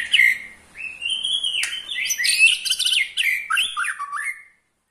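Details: Rattling trill from an eight-month-old white-rumped shama that provokes other shamas; a short note, then a continuous buzzy rolling phrase with rapid chattered elements, ending in silence.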